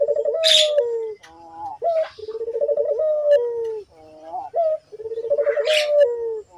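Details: Vigorous collared dove cooing used as a lure to make doves call: low throbbing pulsed phrases swelling into a sustained hoot, then a short upturned note, about every two and a half seconds, with faint higher bird chatter.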